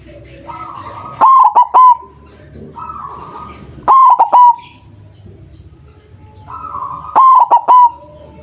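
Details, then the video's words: White zebra dove, strong-voiced lure bird meant to set quiet doves calling; three bursts of three quick, loud coos, spaced about three seconds apart, each preceded by a faint high tone. "Perkutut putih suara besar sangat ampuh buat pancingan, malas bunyi langsung nyaut"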